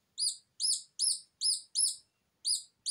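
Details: Just-hatched Silkie Serama chick crying without a mother hen while being calmed by hand: clear, high, slightly rising peeps repeated about every third of a second, with a short pause before the last two.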